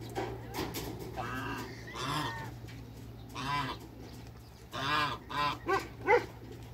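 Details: Toulouse geese, a group of two males and one female, in a backyard. They give loud, harsh honks in short arched bursts, scattered at first and then a quick series of four near the end, over low farm background noise.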